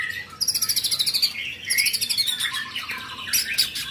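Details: Young white-rumped shama in full song: a rapid, evenly pulsed train of high bright notes, then tumbling chattering phrases of thin high whistles with sharp accents.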